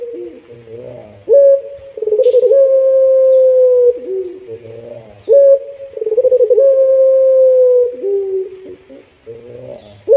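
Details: Melodious pelung-style cooing from a puter dove, heard as long drawn-out level notes, each opening with a sharp upward attack and ending in a lower dip. Phrases repeat about every four seconds with soft low warbles between them.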